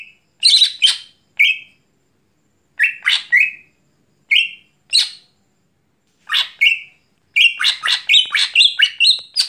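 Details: Greater green leafbird singing in full voice at night: bursts of harsh, scratchy chattering notes, each ending in a short clear whistle, in spaced phrases with pauses, building to a dense run of rapid notes at the end.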